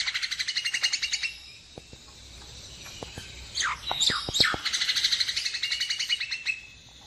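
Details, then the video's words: Common and great mynas give fast, harsh chattering bursts with scratchy rising and falling whistles and sharp clicks, mostly high-pitched, in a busy, uneven stream. "Tiếng Chim Sáo Nâu , Sáo Trâu"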